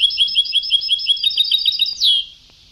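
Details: European goldfinch in an old tape recording of Sebtawi (Ceuta-style) song: a fast run of bright, clipped twittering notes, about seven a second, ending in one drawn-out, downward-slurred note, then faint hiss.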